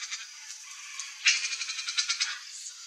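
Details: Young turquoise-fronted parrot (Amazona aestiva), free-living, gives faint raspy notes and then a louder, rapid, harsh pulsed rasp of about eight grating bursts lasting about one second, followed by a soft fading note.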